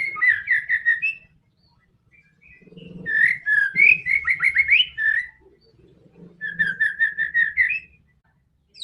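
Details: White-rumped shama song used to make a quiet bird sing: bursts of rapid repeated whistled notes, a rising and falling warbled phrase, then another fast even series of notes, with soft low murmurs between.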